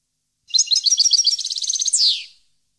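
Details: One European goldfinch phrase from 2015: about one and a half seconds of rapid sparkling twittering that speeds into a trill, then finishes with a nasal buzzy downward slur.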